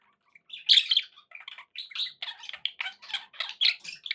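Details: Pet budgies giving a run of quick, separate chirps and squeaky warbles, spaced roughly every third of a second, opening with a louder sharp note.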